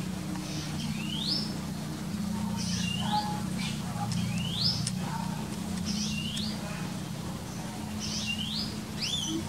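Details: Wild birds on Egypt's north coast near Alexandria, recorded at midday on 12 April 2020: clear whistled phrases sweeping upward, repeated roughly every one and a half seconds, over a low background rumble.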